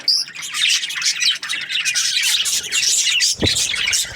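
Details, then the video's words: Breeding-pair budgerigars in an aviary chirp and warble nonstop, with bright high tweets over dense chatter and one short low thump near the end. "Happy budgie chirping sounds"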